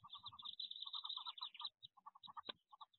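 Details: Wood duck ducklings inside a nest box before the jump give a busy chorus of short, high, repeated peeps, several voices overlapping at a quick pace, with a brief knock or scrape partway through.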